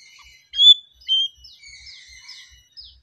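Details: Oriental magpie-robin giving a calm song: two short, clear whistled notes, then faint, drawn-out high whistles and a thin closing chirp.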